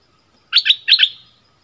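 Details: Southern-type Orange-headed thrush whose song serves to lure wild birds and train young ones: a brief phrase of two paired, bright chirping notes falling away at the end.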